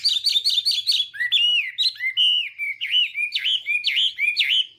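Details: Chinese hwamei in morning voice-training song meant to provoke singing: a quick burst of repeated high notes, then clear whistled phrases and looping V-shaped notes repeated several times.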